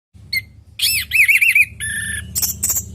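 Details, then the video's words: Orange-headed thrush in lively natural song, used as a lure to get other thrushes to answer: a wavering whistled phrase around a steady pitch, mixed with harsh squeaky notes and sharp chips. "Pancingan burung anis merah|Agar nyaut Dan ikut ngeplong|"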